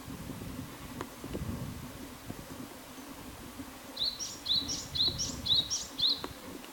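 A Japanese tit sings a quick run of about six bright, high two-note whistles, roughly two per second, over a low background rumble.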